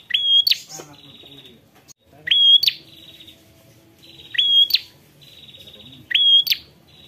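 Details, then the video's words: Ashy prinia calling a rival: loud phrases about every two seconds, each a sharp rising sweep into a high whistled note, then a thin buzzy trailing note. Four phrases, with faint low background sounds between them. "Prenjak prenjak memanggil lawan"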